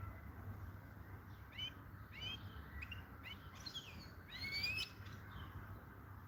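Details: European goldfinch song: a rapid run of bright, swept twittering notes rising and falling, closing in a clearer, more tonal whistled phrase over a faint low hum.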